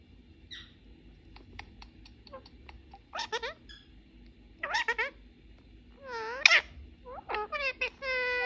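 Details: A male pet rose-ringed (ringneck) parakeet plays and talks with a mobile phone in Persian and English, chattering in short, raspy, word-like phrases with shrill squawky edges against a faint indoor hum.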